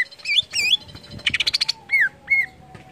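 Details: Greater green leafbird singing to stimulate other leafbirds: warbled looping notes, a fast buzzy chatter, then two clear downward-arched whistles and a sharp chip.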